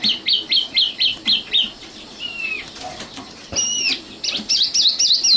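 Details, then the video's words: Common nightingale (Luscinia megarhynchos) singing a varied phrase: a fast run of seven sharp high notes, a thin slurred whistle, then loud swooping notes and a rapid closing trill. "kicau burung sikatan londo matal"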